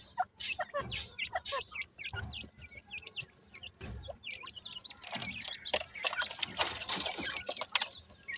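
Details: Baby francolins in summer, kept birds calling together: dense rising and falling high chirps, loud bursts of rustling noise at the start and a hiss-like wash through the second half.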